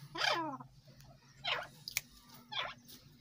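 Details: Silver boski partridge of the Irani teetar type: three rough, downward-sliding calls roughly a second apart, each with stacked harmonics. A faint click and a low background hum are also present.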